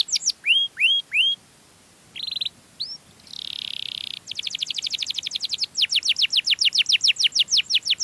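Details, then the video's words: Canary song meant to lure other canaries: three rising whistled upslurs, short bright notes, a harsh buzzy stretch, then rapid high trills of down-swept notes that speed up toward the end. "suara burung kenari yang merdu untuk pancingan burung sejenisnya"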